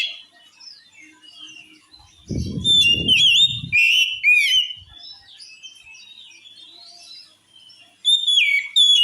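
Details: Oriental magpie-robin song said to make other magpie-robins fly into a rage: loud, varied whistled phrases with sweeping slurs and sharp chirps, quieter twittering between bursts, and a brief low rumbling thump near the start.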